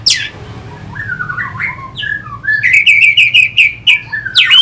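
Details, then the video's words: Orange-headed thrush from Singaraja in North Bali singing as a lure to stir fighter birds: a sharp high note, falling whistled phrases, then a quick series of clipped, repeated chip notes ending in a rising whistle. "Pasti NYaut dan Teler Pancingan SUara ANIS MERAH Pembangkit Figther Burung"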